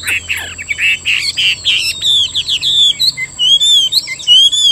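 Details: Singing caged Chinese hwamei, Vietnam: buzzy harsh notes at the start give way to clear, wavering whistles and looping phrases that rise and fall, delivered in quick bursts.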